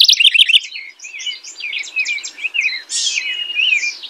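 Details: House wren song, rich and bubbly: a quick jumble of warbled, twisting high notes, rising and falling slides tumbling together for about four seconds without a break.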